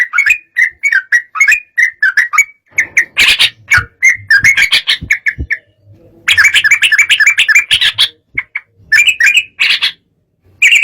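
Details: Agitated sooty-headed bulbul singing to provoke rival birds: a busy run of quick chirpy, bubbling phrases, closely spaced and uneven, with a brief pause midway and faint low background rumble.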